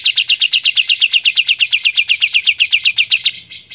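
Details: White-shouldered triller, recorded as training material for cage songbirds, delivering a loud, clear, fast trill of identical sharp notes, about seven per second, held steadily for over three seconds before fading.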